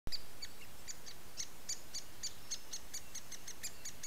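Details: Great spotted woodpecker chicks at their nest in summer at Montalto Estate, being fed by the female, beg with a fast, steady series of thin, high chipping notes, several each second, over a low hum.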